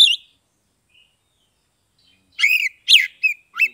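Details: Brief 'ngeplong' song of an Oriental magpie-robin, Kebumen, Central Java: one clipped note, a pause of two seconds, then four short, emphatic whistled and squeaky notes.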